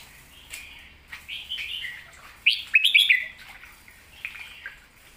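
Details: Master song of a red-whiskered bulbul, a golden-voiced bird: scattered short chirps and whistled phrases, then a loud rush of clear, tumbling whistles in the middle, followed by quieter notes.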